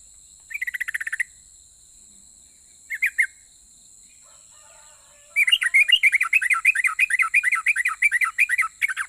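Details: Sooty-headed bulbul singing persistently in a rapid, drawn-out style meant to make other bulbuls reply. Two brief chattering bursts with silence between, then a long unbroken run of quick, slurred whistled notes against a constant thin hiss.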